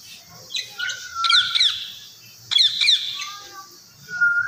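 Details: Talking Indian ringneck parakeet: soft level whistles alternating with paired sharp squawk bursts, then a final thin whistle and rising squawk, over a faint low hum.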